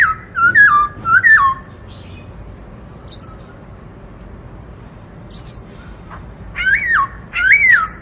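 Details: Black-throated laughingthrush, a kept songbird, singing the loud 'Bắt Cô Trói Cột' style meant to stimulate other birds: clear whistled phrases sliding down, each ending in a swoop, with sharp high upslurred notes in between and pauses.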